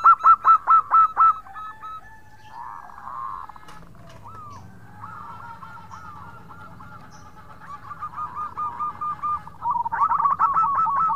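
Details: Local zebra dove singing vigorously in the khong crewet style to call companions: a series of strong, evenly spaced coos, then quick rolling trilled phrases, ending with another run of loud repeated coos.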